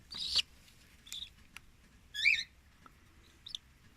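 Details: Small captive-bred cockatiel chick being syringe-fed by a breeder, its crop filling slowly; a few short, high, raspy chirps and squeaks come in scattered bursts, with quiet pauses between them.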